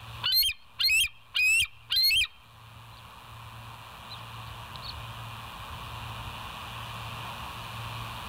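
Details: Bald eagle on a live nature camera, morning of 27 September 2023; the clip opens with four shrill, piercing chirps spaced about half a second apart, followed by steady background hiss and a few faint distant peeps.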